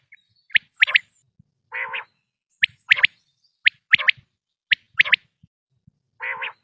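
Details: Quail call for hunting, morning and night: crisp high notes repeating in single and doubled pattern about once a second, broken twice by a lower rasping burst, with quiet gaps between phrases.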